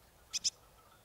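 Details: Marsh tit (Poecile palustris) at Kawęczyn near Nowy Korczyn, Poland: two sharp, high, explosive call notes in quick succession, the pair lasting about a fifth of a second, over quiet background hiss.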